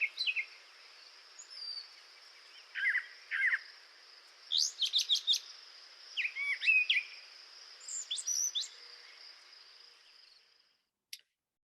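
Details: A Brown Thrasher sings a rapid string of varied, mostly high phrases, each one different from the last; over about 40 seconds of song it repeats no phrase.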